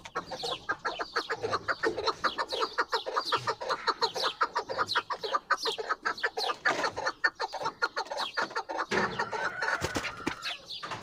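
Chukar partridges give a dense, overlapping run of harsh clucking chuck notes, close to two per second, with several birds calling at once.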